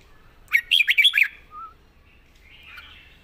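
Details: A red-whiskered bulbul, said to sing readily with a pleasant style, delivers a short, rollicking phrase of bright, warbled whistles. A soft low note follows, then faint twittering.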